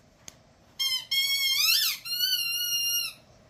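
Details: Male pet umbrella cockatoo indoors making a taught sound: a sharp click, then a sustained squeaky whistled tone that briefly rises and falls before steadying, with strong overtones. The whole sound lasts over two seconds, heard in a small room.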